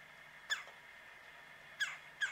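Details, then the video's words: On a bitterly cold mid-January morning at -9°F, around 9 am, a woodpecker on a tree some 45 yards off gives abrupt, harsh single notes, the last two close together, over a low steady hum. "Woodpecker Calling On a Cold Winter Morning"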